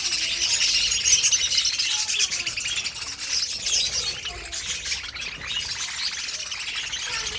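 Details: Pet budgerigars, likely a colony, warble in fast, irregular bursts of high chirps and scratchy notes, about three a second. Loudest early, softening slightly toward the end.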